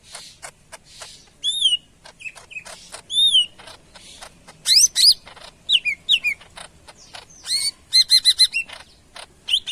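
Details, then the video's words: Greater green leafbird of the Medan type singing energetically: varied loud whistled phrases, rising and falling slurs and quick chattering notes with short gaps, in a quiet setting. "BURUNG CUCAK IJO MEDAN GACOR"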